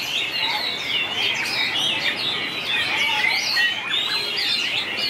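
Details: Contest song of White-rumped shama, long varied delivery: a steady stream of bright whistles, quick up-and-down slurs and chattering trills, packed tightly together at a constant, fairly loud level.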